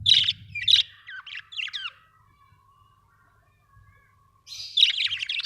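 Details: Budgies giving a few bright, squeaky chirps and short rising twitters, falling silent for two seconds, then breaking into a loud, scratchy burst of chatter over a faint low hum.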